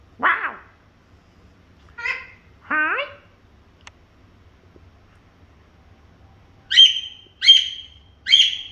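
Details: Princess parrot producing scattered short, harsh chattering calls separated by pauses, followed by three sharp, high, clipped squawks spaced about a second apart in a quiet room.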